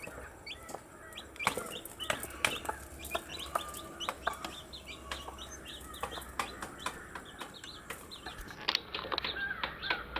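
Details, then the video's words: A group of cute baby chicks calls constantly with thin high-pitched chirps, brief and often downward-sliding, packed closely together over repeated pecking clicks and a low background hum. "Cute Baby Chicks with chirping sound"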